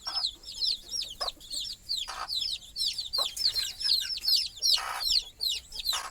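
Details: Small chicks call at night while climbing up to sleep with their mother hen on a stick at the nest. Dense runs of high, falling peeps alternate with brief scuffling noises, and a few faint clucks can be heard.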